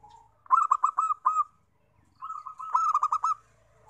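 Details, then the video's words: Zebra dove song, a lure for wild doves. Two phrases of clipped, stuttering coos follow each other, the first short and crisp, the second longer and rolling. A faint low hum sits underneath. "PIKAT PERKUTUT"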